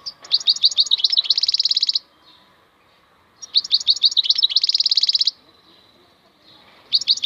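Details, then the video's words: Maknine khalwi, a wild European goldfinch, delivers three bright song phrases about every three and a half seconds. Each phrase is a string of quick tinkling chirps that run into a dense buzzy trill, with quiet pauses between. "MAKNINE KHALWI super chant"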